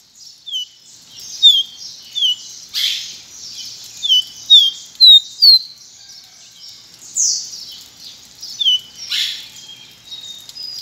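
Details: A caboclinho branco, or pileated finch (Sporophila pileata), repeats sweet falling whistles at a lively, uneven pace, loudest in a run of four notes midway, over faint chatter and a constant hiss.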